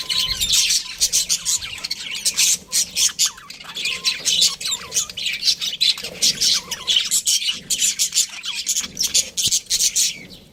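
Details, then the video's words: Pet budgies calling, rapid sequences of sharp squawks and clipped chirps in rhythmic bursts, some downward-sliding notes, several birds overlapping. "Cute Budgies Chirping Sounds"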